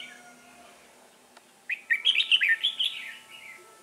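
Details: Red-whiskered bulbul of the 'bullfrog throat' voice type, recorded while trapping on 1 October 2018; after near silence, a rich warbled phrase of quick slurred notes at bright mid-high pitch runs for about two seconds, with faint background hum.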